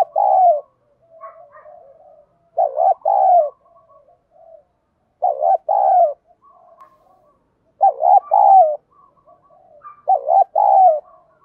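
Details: Spotted dove calling in the 'thổ bầu' voice, used to lure and provoke wild doves: five strong two-part coo phrases spaced two to three seconds apart, with quiet murmured notes between them.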